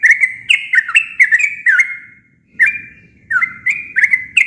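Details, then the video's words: Plain natural song of a sooty-headed bulbul: rapid bubbly whistled phrases with clicky starts, a short pause midway, then another lively run of chirpy notes; background quiet apart from a faint low murmur. "Suara alami burung trucuk tanpa isian cocok untuk masteran"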